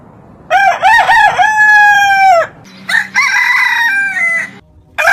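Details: Rooster crowing with three bouncing opening syllables, then a long steady note sliding down at the end; a second, looser crow follows and another begins as the sound ends.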